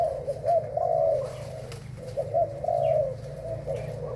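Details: Breeding spotted dove, Thailand type, cooing in two phrases of short rising notes followed by a longer drawn-out coo, with a pause between them and a constant low hum in the background.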